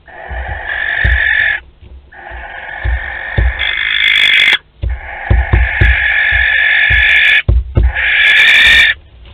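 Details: Barn owl pair visiting a nest box at Théding, 12 May 2020: long, harsh, hoarse calls with banded tones, each lasting a second or two and broken by short pauses, over knocking and scuffling in the box.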